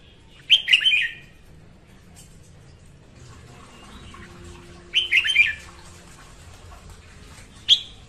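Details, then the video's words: Morning song of a female red-whiskered bulbul, used for training birds and trapping: three short whistled, warbling phrases spaced several seconds apart, the last one brief, over a quiet background. "Tiếng Chào Mào hót sáng kích chào mào hót, chào mào gọi bổi"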